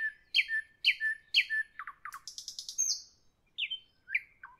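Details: In the evening a nightingale repeats three loud, bright notes with low tails, adds quick falling clicks and a rapid high stuttering burst, then slurred whistles and a dropping note.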